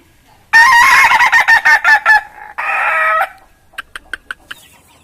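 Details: Laughing crow of an Ayam Ketawa cockerel kept in Meulaboh, Indonesia: a loud rapid volley of harsh pulsed notes, then one drawn-out rough note, followed by a few quiet sharp clicks.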